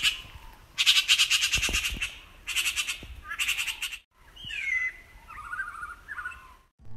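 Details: Canada Jay recorded in July 2020 near Whitehorse, Yukon, a bird more heard than seen, gives three bursts of harsh, grating squawks, then a few softer whistled notes that slide up and down.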